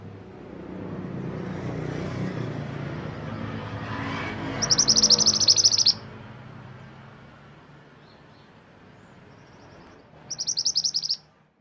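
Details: Two short bursts of very high, dense, buzzy trilling from a Mantenan gunung, separated by several seconds of quiet, with low background rumble at the start.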